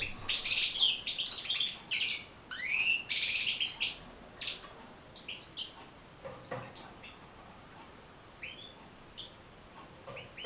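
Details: European goldfinch song aimed at teaching goldfinches to sing. About four seconds of rapid, jangling high twitters and slurred notes, then only scattered single chirps and clicks.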